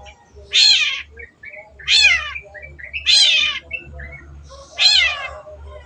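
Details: Masteran cendet recording of a long-tailed shrike giving loud, grating descending calls at irregular intervals, about four in six seconds, with soft squeaky notes between them.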